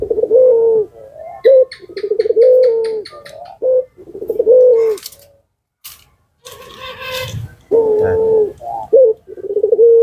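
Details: Barbary dove of the puter pelung type, a lure bird meant to draw answers from other doves, giving a run of low rolling coos with short clipped notes between. A brief hiss-like noise breaks in midway before the cooing resumes.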